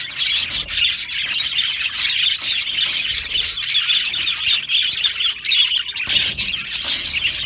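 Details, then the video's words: Australian budgerigars in a colony aviary give a steady wall of shrill chirps and scratchy squawks, overlapping voices throughout with brief louder bursts. "Australian Budgie parrot sounds | Budgie parrot chirping sounds"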